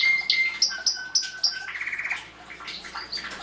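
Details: Belgian canary song used to stimulate chick rearing in the 2016 breeding season: a clear whistle, then a series of five sharp high notes over a low tone, then a rapid mid-pitched trill fading into soft twitter.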